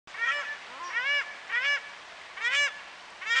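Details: Paradise shelducks at New Plymouth, New Zealand, calling loudly in the morning. Nasal honking calls with a slight rise, five in about three and a half seconds, over a steady background hiss.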